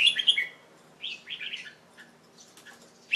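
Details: Young male pet Red-whiskered Bulbul, late afternoon after a bath on 1 January 2012; quick chirped notes opening, then softer warbling phrases and a final sharp note.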